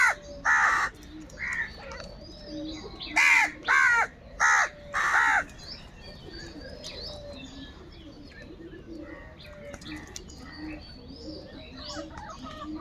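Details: Crows squabbling over food give a run of six loud, raspy caws in the first five and a half seconds, about one per second. After that only faint background bird chatter and a low murmur remain.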